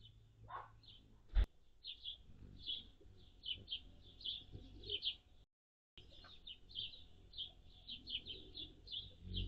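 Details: At feeders on June 7, 2022 (high 76F, low 51F), Anna's hummingbirds give a steady stream of sharp, high chips in quick succession, with one loud click and low background rumble.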